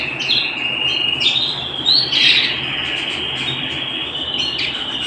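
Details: A canary at home sings a continuous high rolling trill, rising gradually in pitch, with scattered sharp chirps and a bright burst of notes around the middle.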